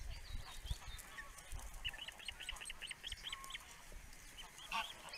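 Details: Male osprey at the nest on a webcam, giving a rapid series of about ten short, high whistled chirps in quick succession, with low rumbling noise and scattered calls of other birds behind.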